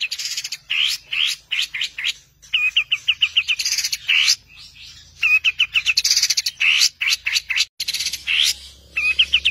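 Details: Cendet, the long-tailed shrike, giving a 'tembakan' master song for songbird training: dense chattering of rising slurs, harsh bursts and strings of repeated chips, with short pauses between phrases.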